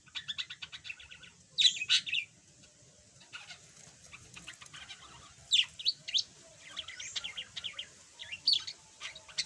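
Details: Yellow pet budgerigar, previously silent, now chattering: a steady soft warbling babble with loud scratchy squawks roughly every few seconds over a long, continuous stream of chatter.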